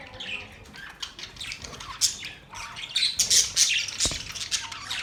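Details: Budgies give sharp high chirps and scratchy squawks in irregular bursts, louder in the second half, with a short knock near the end.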